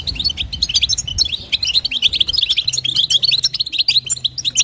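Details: Female European goldfinch calling to stimulate the male, a fast flow of bright chirps and twittered trills, growing denser toward the end, over a low hum.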